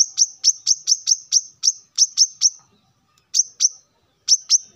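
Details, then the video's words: A male plain-throated sunbird calls rivals in the morning with a quick series of bright, sharp, high notes, then a pause and two shorter pairs of the same chips. "kolibri kelapa manapun pasti ikut nyaut dengar suara ini"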